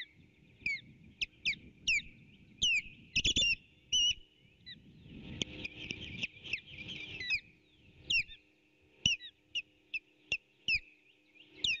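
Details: Osprey at a nest camera, April 8, 2018, late morning, with an intruder repeatedly trying to take fish from the pair: a rapid, irregular series of shrill whistled chirps, some bursts bunched, with hissing and rustling noise.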